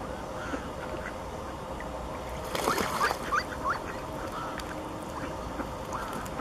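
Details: Wild mallards on a lake: a short run of four quick upslurred calls mid-clip, each rising briefly, over a steady low background rumble with a soft splash at the same moment.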